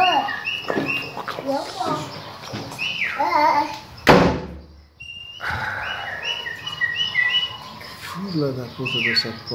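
Chopi blackbird pouring out rich, varied whistled phrases, some clear and ringing, others gurgling; a sharp bang midway and faint voices in the background.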